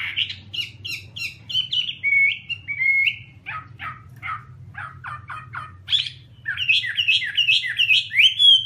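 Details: Chinese hwamei singing a varied run of loud whistled phrases, with quick chirps, short slurred whistles and a series of rapid downslurred notes, over a steady low hum.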